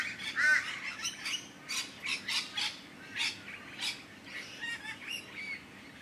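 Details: Rainbow lorikeets in a dominance display at a bird sanctuary, wrestling on the ground to sort out their pecking order, trade harsh, grating screeches in quick bursts of about two a second.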